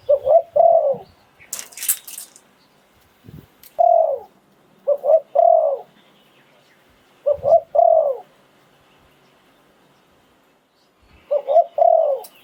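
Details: Spotted dove kept as a decoy bird, recorded in Thailand in 2022, singing the 'sai phon liu tan' style: low, hoarse cooing in clusters of two or three notes, each cluster roughly every three to four seconds, with brief rustling.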